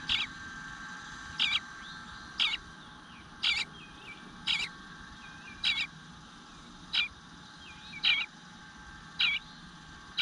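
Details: Eastern bluebird nestling begging for food, not fed for a while, recorded in the nest on a June morning in 2022: a steady series of short rasping squeaks, roughly one per second, over soft twittering of birds outside.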